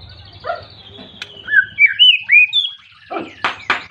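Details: A white-rumped shama calling to a rival to provoke other shamas: soft low murmuring, then a sequence of clear looping whistles, followed by loud harsh rasping bursts near the end.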